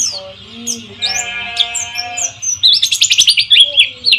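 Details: White-eye lure song, played to coax silent caged birds into singing, set against flowing water: a steady hiss, sustained musical tones underneath, then a rapid burst of high, sharp chirps in the second half.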